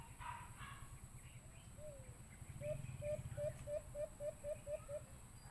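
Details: White-eared brown dove call played through a Bluetooth speaker as a lure during bird hunting. A series of short, low hooting notes quickening to about four a second, over a low background rumble.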